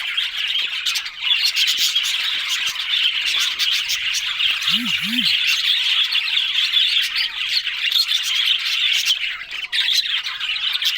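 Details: Budgerigars, a crowd of them, keep up dense, continuous high chirping and warbling throughout, with rapid overlapping twitters; a brief low double squeak sounds near the middle.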